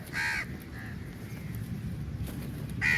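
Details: Crows flocking to food at feeding time; one loud harsh caw, a fainter call, then another caw at the end, over a low steady background rumble.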